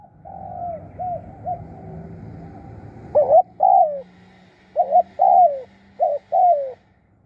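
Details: Spotted dove decoy calling: faint coos at the start, then loud paired throaty coos, each a short note followed by a falling one, repeated three times with gaps, and a faint low hum in the background.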